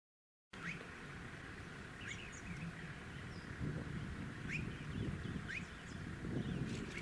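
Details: A male rainbow bee-eater perched on power lines in a suburban area of Tin Can Bay, Queensland, in September 2017, gives short, rising chirps every second or so over a steady low rumble of wind and suburban noise.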